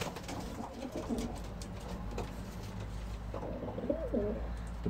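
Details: Homing pigeons of a flight team in September, raising a round of young after the racing season, give low, throaty, rolling coos over a steady low hum.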